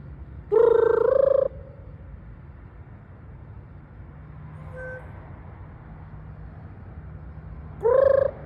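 A raven gives two loud, nasal, slightly rising calls about seven seconds apart, with a faint tonal note between them over a low steady hum.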